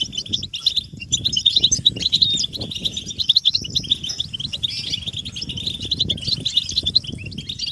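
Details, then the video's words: European goldfinch chorus of mating and readiness calls meant to make males sing: high, fast, overlapping twitters and sparkling chirps run throughout, over a soft low rumble and fluttering noise in the background. "بتبتة الحسون تحفيز الحسون على التغريد والهيجان علاج صمت الحسون goldfinch stimulation"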